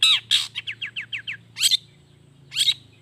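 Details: Long-tailed shrike in energetic 'gacor' song with natural fill notes, a lure for lazy shrikes. Opens with harsh notes, then six quick repeated slurred chirps, followed by two more rasping bursts.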